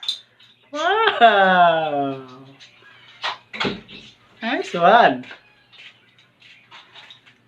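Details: Pet African grey parrot talking and doing tricks indoors, imitating sounds on request: a long descending harmonic whistle-like phrase, then short clipped syllables and laughter-like bursts, with people talking nearby.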